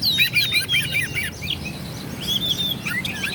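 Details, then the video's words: Oriental magpie-robin song meant to rile rival males: a rapid run of repeated whistled chirps, a pause, then long slurred rising and falling whistles against steady low noise. "KACER GACOR LAWAN PASTI NGAMUK EMOSI NARUNG BUKA EKOR"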